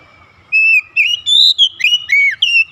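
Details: An oriental magpie-robin calls with a rhythmic song of loud, clear whistled notes, some level, some bending up or down, about eight phrases in two seconds.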